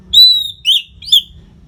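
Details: Anis merah, the orange-headed thrush, in a masteran tutor song for fighter birds: three clear whistled notes, a long level whistle followed by two shorter slurred ones, loud and high.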